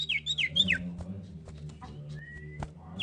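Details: Female common iora calling to a male: a short run of quick, high, sliding chirps dropping in pitch, then a thin level whistle, with a low background hum and faint clicks.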